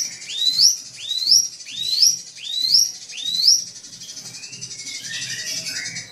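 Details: Rival-provoking drongo song: five bright rising whistles at steady intervals of about 0.7 seconds, then a softer stretch of faint buzzy notes over a low pulsing background.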